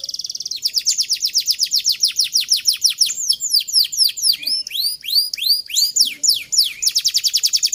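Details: Canary song serving as a training model for young canaries, aimed at long rolling song: rapid trills of descending chirps, a run of looping upswept whistles, then a fast high trill.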